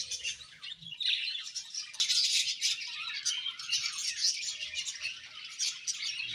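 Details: Budgie colony calling together: constant layered high chirping, squeaky warbles and rapid twitters, with a single sharp click near the start.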